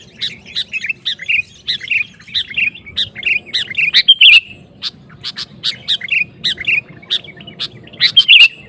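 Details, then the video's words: Sooty-headed bulbul (kutilang) gacor song to provoke other bulbuls: steady rhythmic chirped phrases repeated nonstop, several sharp accented notes, over a faint low hum. "Suara Burung KUTILANG GACOR Memancing Lawan Kutilang Lain Emosi Ikut Gacor"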